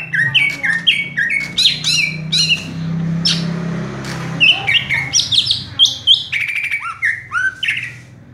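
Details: Cucak ijo, or greater green leafbird, delivering rapid 'raja tembak' song from one perch: dense run of sharp, clipped whistles and squawky notes jumping between pitches, over a low steady hum.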